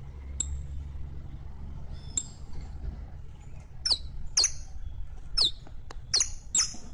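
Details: Saffron finch (canario criollo) song played as a tutor recording to teach a captive bird to sing: a few isolated sharp high chirps, then a quicker run of bright descending chip notes over a low steady hum.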